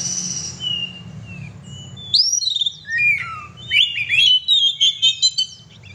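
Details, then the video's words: Kacer, the oriental magpie-robin, singing actively: a soft drawn whistle opens, then loud varied whistles and slurs, ending in a fast stuttering sequence of high clipped notes. "kacer gacor"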